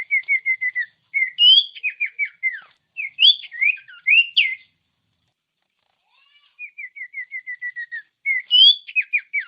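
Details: Common iora song meant to provoke other ioras: a rapid row of even whistled notes, then loud rising and falling warbled phrases, a quiet gap, and the same run of short descending whistles repeated.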